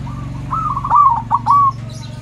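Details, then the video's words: Zebra dove (perkutut), a loud big-voiced bird used as a vocal lure to get other perkutut singing: a short bout of rolling, trilled coos near one pitch over a steady low mechanical hum. "Perkutut suara besar PULEN"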